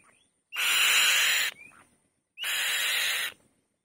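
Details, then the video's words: Female white-tailed kite making a loud noise on its nest: two long grating, hissing screams, each led by a short rising whistle, with a faint thin whistled note between them. "White-Tailed Kite | The Female Bird Makes a Loud Noise On The Nest"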